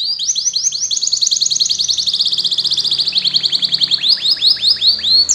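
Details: Atlantic canary song meant to coax young canaries into singing quickly: a long, loud, rolling trill of rapid repeated notes, shifting into slower, separated swooping chirps near the end.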